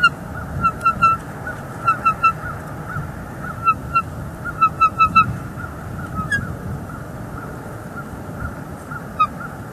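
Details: On a northeast Florida nest camera on 3 December 2021, a female bald eagle feeds on a fish as the male keeps bringing sticks. She answers with bursts of quick, staccato, piping notes in rapid clusters over steady low rumble.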